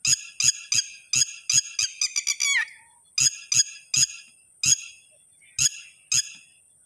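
A red-wattled lapwing gives loud, sharp, strident notes, about a dozen in quick bursts with a fast rattling run in the middle, pausing between groups.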